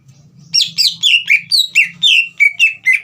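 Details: Green leafbird singing in captivity to stir a juvenile into song: about ten loud descending slurred whistles in quick succession, roughly four per second, over a faint low hum.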